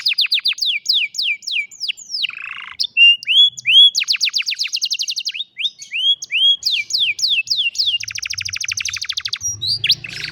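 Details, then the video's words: Old caged canary singing in the afternoon: rapid repeated downslurred whistles, then rising notes and fast buzzy trills in varied phrases, loud and continuous. "Old Canary sings beautifully in the afternoon"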